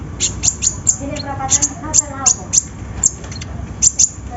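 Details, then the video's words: High, needle-thin chirps of a kolibri ninja sunbird in a lure recording to prompt singing, repeated in uneven clusters, with soft lower warbling phrases and background hum underneath. "PANCINGAN KONIN SUSAH BUNYI!! SEKALI DENGAR LANGSUNG DUUUAAAAARRR"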